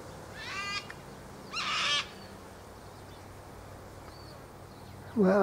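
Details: Ibis flock feeding in a ploughed field and preening on a warm afternoon; two short grating, croaky calls about a second apart, then quiet, ending with a burst of a man's voice.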